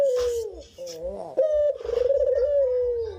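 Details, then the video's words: Brief burst from a cinnamon-headed green pigeon in full song: a falling whistle, a few fluttering, upswept notes, then a long level whistle with a quavering, pulsed texture, over faint low thumping. "Dou gacor kicauan burung brenggolo"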